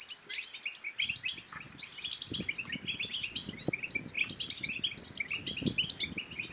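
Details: European goldfinch twittering song meant to stir other birds to sing and mate, a fast, high jingle of chirps running throughout, with a busy layer of low tapping noises.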